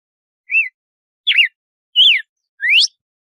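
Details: Açoite-style compasso song of a red-cowled cardinal: four separate whistled phrases, an arched note, a looping note, a falling slur and a rising upsweep, with clean silence between them.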